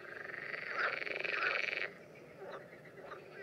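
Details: A common tern in mating behaviour in the Danube Delta, June 2016, gives a buzzy, rapidly pulsed rasping call lasting nearly two seconds. Quieter short grating notes follow.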